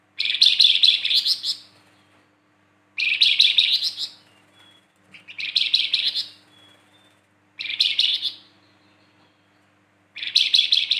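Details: Flamboyan uttering rough, buzzy chattering 'kasaran' bursts, each about a second long, repeated five times at intervals of two to three seconds, with quiet thin notes between.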